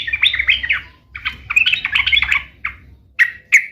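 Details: Vigorously singing sooty-headed bulbul: a jumbled run of bubbly, chattering notes, a brief pause, then a second tumbling phrase and three separate sharp chirps. A low hum runs underneath.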